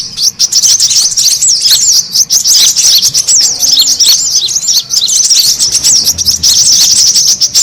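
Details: Noisy brown-throated sunbird lure call used to bring birds together: rapid, overlapping high-pitched squeaks and twisting chirps running nonstop, densest in the final seconds.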